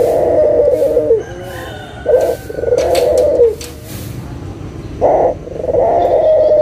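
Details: Local Barbary dove cooing, used as a lure to make silent doves sing again: a short hoarse note followed by a long rolling low coo, repeated twice, with faint background hiss.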